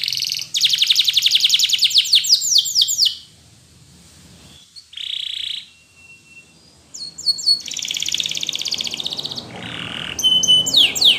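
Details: Spanish Timbrado canary song used for training other canaries: bursts of fast metallic trills and descending sweeps, a brief steady whistled note, a pause, then more rapid rolling trills and swooping notes.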